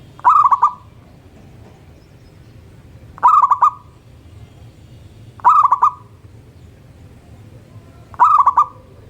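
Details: Morning song of a local zebra dove: four rapid, rolling coo bursts spaced roughly two and a half to three seconds apart, each with quick pulsed notes trailing into a brief hum, over low background rumble.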